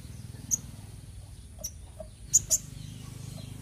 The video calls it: Suara Burung Sogok Ontong Gacor